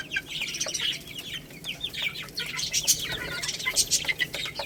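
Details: Chicks eating rice: busy, high-pitched chirps from several birds, some rising and falling, over faint pecking clicks.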